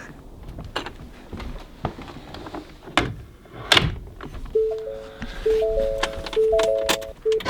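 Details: Scattered knocks and thuds give way to a simple melody of sustained tonal notes, with no animal voice heard.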